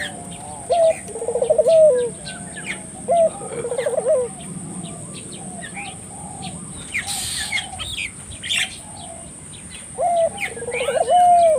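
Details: Spotted dove calls played to stir local doves into calling: rolling, trilled coos ending in a falling note, three phrases separated by quiet gaps, with a brief hiss midway, light chirping of small birds and a steady high tone throughout.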